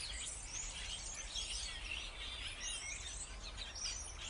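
Starlings chatter in a dense, unbroken wash of high squeaks, whistles and clicks that overlap without pause, over a low rumble of background noise.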